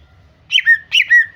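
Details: Female greater green leafbird calling to lure a male into singing; two loud whistled phrases, each a sharp burst that drops into a clear steady whistle.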